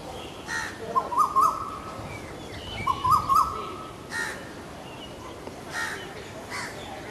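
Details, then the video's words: An Asian koel gives two short bursts of quick, rising, mid-pitched notes about two seconds apart, with occasional soft knocks and rustling around them. "Asian Koel sound"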